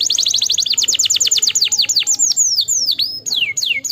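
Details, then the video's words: A canary sings to stimulate lazy canaries: a rapid rolling trill of downward-sweeping high notes that slows into separate longer falling whistles, some with a rising-then-falling shape. "stimuleer heel snel het geluid van luie luie kanaries"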